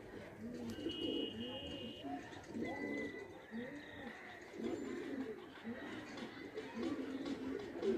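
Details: Indian pigeons playing, kagzi type, a flock cooing continuously in overlapping low rolling coos, with a few thin whistled chirps from other birds above.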